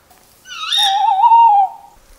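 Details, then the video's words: A Tawny Owl gives one drawn-out, slightly wavering note lasting over a second, with a brief higher start; no other sounds compete. "Tawny Owl Call"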